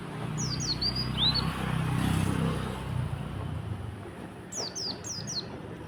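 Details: Oriental white-eye singing in the morning, in a song style with konin phrases: a run of four high, thin, down-slurred whistles, a pause over low rumbling traffic-like noise, then another quick set of four.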